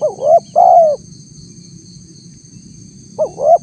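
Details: Spotted dove lure call for wild doves: one coo phrase ending in a long falling note, a pause of about two seconds, then the opening rising notes of the next phrase, with a high electronic tone throughout.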